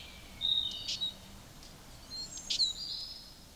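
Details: Eurasian siskin (Spinus spinus), song.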